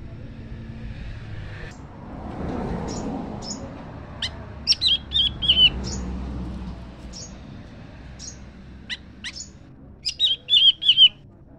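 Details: A leafbird answers a scarlet minivet with scattered sharp, high chips. Two phrases of quick, slurred, descending whistles follow, one near the middle and one near the end, over a faint rushing background.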